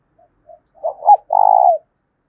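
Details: Spotted dove used as a lure bird, with a deep 'thổ' style voice, cooing to provoke other doves. Two soft low notes come first, then two short throaty hoots and one long, even, purring coo that falls at the end.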